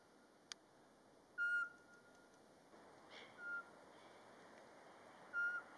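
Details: Eurasian pygmy owl singing in the March mating season in Latvia, by day and unprovoked: a whistled note, then a fainter one and a third after a long gap, over a steady background hiss.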